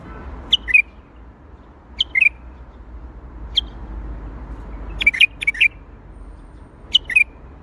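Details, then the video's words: Bulbul singing in the Baghdadi style, repeated short phrases of a high whistle dropping into a lower warble, given every second or two, with a louder cluster of notes near the end over a soft hum. "تغريد بلبل طور بغدادي"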